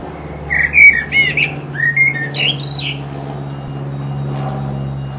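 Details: Full-voiced mating song from a resident blackbird: a burst of fluting, mellow whistles mixed with sharp, high squeaky notes over a steady low hum, then quiet.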